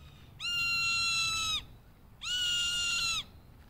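A hawk gives two long, steady, high-pitched calls, each about a second long and slightly dropping at the end, answering its mother over a low background rumble.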